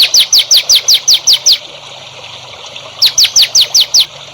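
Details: Songbird in a masteran for training young contest birds: two bursts of about seven clear, high, sharply down-slurred whistled notes, evenly spaced at roughly five per second, separated by a second and a half of quiet.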